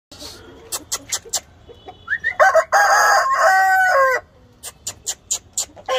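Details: Aseel fighter rooster crowing: a loud, harsh, sustained crow lasting about two seconds, flat then ending abruptly, framed by sharp clicking taps before and after.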